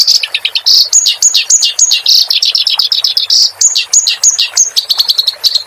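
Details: Clamorous reed warbler singing in a training recording for caged songbirds. A continuous, loud, varied song of slurred whistles, harsh buzzy phrases and repeated sharp up-flicked notes.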